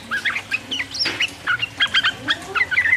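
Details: Singing sooty-headed bulbul in the 'uplik uplik' rolling style, played to provoke rivals: bright, chattering whistles in quick succession, with a sharp louder note near the middle and a brief upward slur toward the end.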